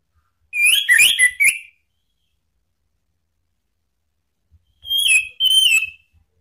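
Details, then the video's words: Orange-headed thrush calling to provoke rival birds: two bursts of harsh, buzzy, slurred notes around the upper-middle range, each about a second long, separated by several seconds of silence. "SUITAN ANIS MERAH MEMANCING LAWAN JADI NGEPLONG"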